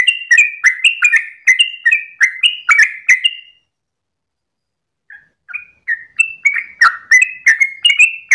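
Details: Yellow-vented bulbul, called trucukan, in dawn ropel song: quick chains of bubbling whistled notes, a pause of about one and a half seconds, then another rapid run of the same notes.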